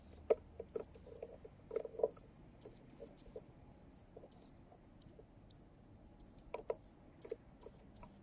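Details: Baby junco fed by a male junco at a miniature balcony pub visited by wild birds. A busy, uneven run of piercing high squeaks comes with clusters of low knocking and pecking clicks.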